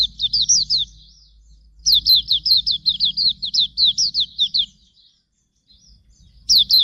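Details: Hume's white-eye used as a training song for songbirds: two bright runs of rapid, high down-slurred whistled notes separated by brief silences, each phrase lasting about two to three seconds, over a quiet low background hum.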